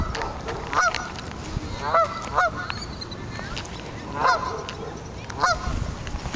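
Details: Geese by the water, confronted by a barking puppy, give loud, nasal honks in a ragged series, several overlapping about once a second, over a background of wind and faint voices.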